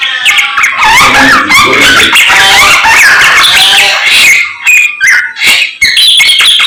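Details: Morning song of a samyong in full voice, with rapid chattering bursts mixed with clear rising and falling whistles that pour out almost without a break.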